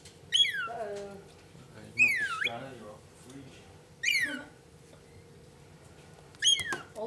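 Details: A lorikeet, apparently a pet, makes four loud, sharp, descending squawking whistles spaced about two seconds apart, with softer chattering notes between them and a low background hum.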